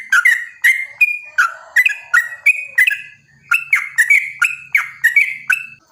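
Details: Yellow-vented bulbul in a quick 'ropel panjang' song played as a lure for other bulbuls: sharp bubbly whistled notes roughly every half second, a brief pause near the middle, then an even run of rising whistles.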